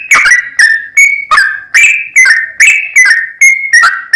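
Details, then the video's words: Yellow-vented bulbul (trucukan) in a long, rapid 'ropel' song used as a lure to agitate and prompt another bird to sing: loud, clear whistled notes near one pitch, falling slightly, with sharp starts, repeated about every 0.4 seconds with echo. "TRucukan Gacor ROPEL PANJANG PAncingan TRucukan Agar BUnyi"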